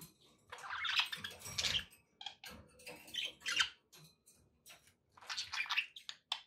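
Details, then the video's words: Chattering pet budgies indoors, long runs of harsh, squawky warbling broken by short gaps, with occasional clearer whistled squeaks. "budgie sounds for pet parakeets to make tham happy"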